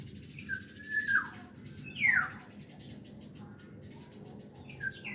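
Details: Two black-naped orioles, called kilyawan, singing: a few fluty, slurred whistles, one rising and falling sharply, spaced with pauses over a steady high insect hum.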